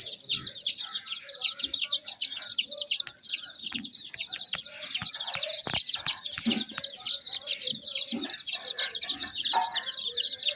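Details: Chicken chicks keep up a constant high-pitched chirping, countless quick piping notes overlapping throughout, with light tapping and clicking sounds scattered beneath.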